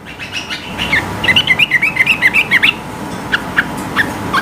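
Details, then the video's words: Sooty-headed bulbul in high-pitched provoking song: a fast string of about a dozen short, warbled, wavering notes, followed by several spaced single chirps, over faint background noise. "Trucukan gacor tembakan tinggi gertak lawan agar ikut bunyi gacor ropel"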